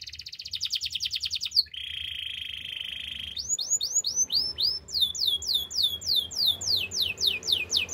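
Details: Canary song with a fast high chirping trill, a long low buzzing roll, then strings of falling whistled notes repeated about four times a second.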